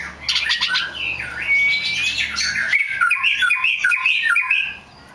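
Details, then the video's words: Rare black magpie robin singing a continuous rich warble: scratchy chatter, a long thin whistle, then a string of varied whistled notes rising and falling. "The rare black Magpie Robin"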